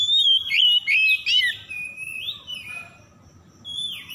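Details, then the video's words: Oriental magpie-robin singing, a lure meant to make stressed birds that stopped singing start again; bright whistled notes swooping and dropping, a long wavering falling whistle mid-phrase, and a softer rising whistle at the end. "PANCINGAN PEMIKAT KACER SETRES MACET BUNYI LANGSUNG GACOR"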